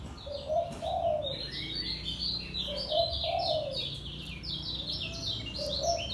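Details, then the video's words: Caged white-eye of Lombok giving its ngejos selow song, a continuous run of thin, high, slurred twitters, with a dove's low coos recurring about every two seconds. "SUARA KECIAL KUNING LOMBOK NGEJOS SELOW"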